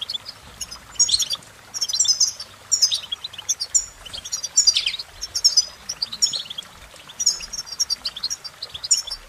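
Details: European goldfinch song in lively bursts of ringing, high-pitched twitters and buzzy trills, with short pauses between phrases.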